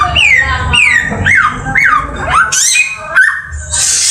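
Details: Samyong bird singing: a run of loud whistled notes, each dropping sharply in pitch, about two per second, then rising slurred notes and harsh scratchy bursts, with low background rumble.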